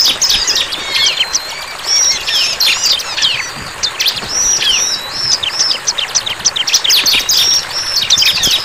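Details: A bar-winged prinia sings in the wild, mixing quick sliding whistles and sharp high chirps in uneven bursts, the song thinning slightly in the middle before picking up again.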